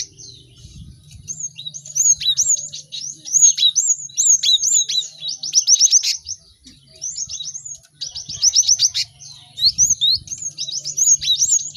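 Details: Many cinereous tits calling together, recorded to help caged birds learn to sing quickly: rapid overlapping series of sharp rising chirps in bursts of two to three seconds, brief pauses between, faint low hum beneath.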